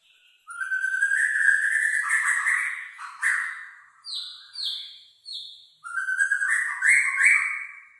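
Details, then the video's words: Black-tailed, long-tailed White-rumped shama singing actively: loud, rich whistled phrases, a long warbling run, then three short descending whistles and a final rising flourish, all clear against silence. "Suara Murai Batu Black tail ekor panjang gacor dorr"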